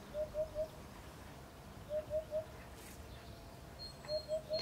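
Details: A male Eurasian Hoopoe in Provence sings in the spring breeding season, soft, low, hollow 'oop-oop-oop' triplets about every two seconds to attract females, with faint high chirps from another bird.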